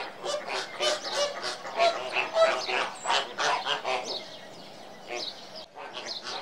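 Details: Flamingos calling as a flock: loud, nasal, goose-like honks with rich harmonics, overlapping and repeated about three times a second, fading to scattered honks near the end.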